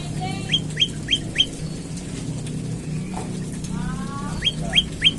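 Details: Olive-backed tailorbird in the morning, played to draw other birds into song: quick runs of sharp upward-flicked notes, four at the start and three at the end, with another bird's softer layered chatter between.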